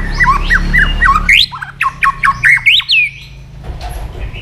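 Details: Stimulated white-rumped shama flicking its tail and singing its fighting song: rapid repeated falling whistled notes, then looping rising whistles, with low background music before the bird falls quiet.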